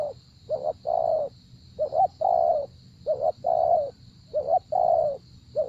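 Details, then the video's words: Spotted dove cooing in a decoy-trapping setting: repeated phrases of two short clipped notes followed by a longer, full, slightly falling coo, about four phrases in six seconds, over a low rumble and a steady faint high whine. "Gác Cu Gáy"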